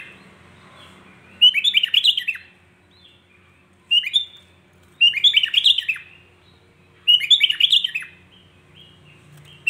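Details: Sooty-headed bulbul (kutilang) song meant to provoke other bulbuls: four bursts of bubbly, chattering whistled phrases roughly every two seconds, separated by short soft notes and quiet gaps.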